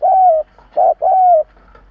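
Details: Spotted dove used as a lure bird to stir up rival doves: a long, gently falling coo, a brief clipped note, then another long falling coo, low and mellow.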